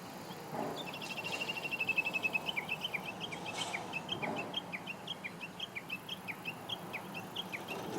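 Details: Japanese bush warbler singing on 26 June 2017, with a peregrine falcon perched on a pylon across the river and other birds sheltering. A rapid, steady series of short, high, down-slurred notes, about three per second, loudest early and then fading slightly.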